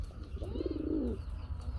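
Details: A pair of solid white Kagzi pigeons, a breeding pair in Kashimpur, Gazipur, Bangladesh, calling with a low, soft cooing that swells and then slides downward.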